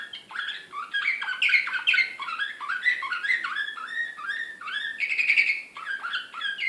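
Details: Excited Serbian slavujar canary, Belgrade 2016, singing steady chains of falling whistled slurs that step downward, then a brief rich trill before more quick chirps.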